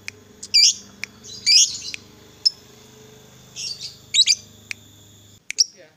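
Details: Lovebird sound meant to make another lovebird sing all day: scratchy high squawks and short chirps at irregular intervals, with a steady faint low hum behind them.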